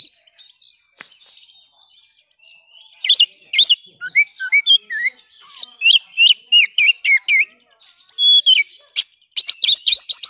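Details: Oriental magpie-robin (kacer) in a training recording for caged birds, delivering a long, rich song of quick whistled slurs mixed with dense, harsh chattering bursts that grow louder toward the end.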